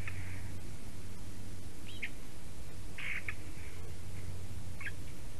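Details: Eurasian jay singing softly while visiting a Latvian black stork nest, 9:47 AM, 11 April 2019: spaced mewing and rasping notes with a few short clicks, against a continuous low hum.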